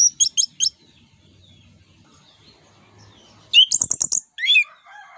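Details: Used as a lure and tutor for other birds, an orange-headed thrush sings in ngeplong nembak style: three quick high chips, a quiet gap, then a dense burst of shrill rapid notes and a final twittering phrase.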